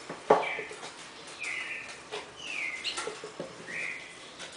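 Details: Red-crested cardinal pair, classic four-note Bagé song, heard fairly softly: short whistled notes, some level and one sliding down, spaced about a second apart among clicks, rustling and faint voices.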